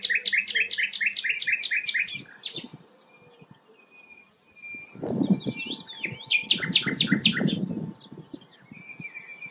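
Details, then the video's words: Sikatan londo flycatcher, a melodious songster used to tutor white-rumped shamas, singing actively. Two bursts of fast repeated metallic notes are separated by a quiet gap, with thin sustained whistles and low background noise. "burung sikatan londo gacor"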